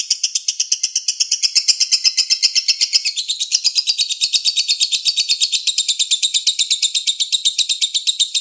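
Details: Lovebird in the rapid konslet style, used as a lure song: continuous, fast, high-pitched chattering trill of evenly pulsed notes, nearly three per second, running unbroken and shifting slightly higher after the first few seconds.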